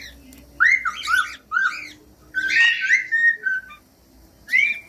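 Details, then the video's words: Whistled cockatiel song for training young or silent cockatiels to sing: short upward-curving whistles in quick pairs, then a longer rough, buzzy phrase and a final rising whistle after a pause. "15 MINUTOS DE CANTOS DE CALOPSITA"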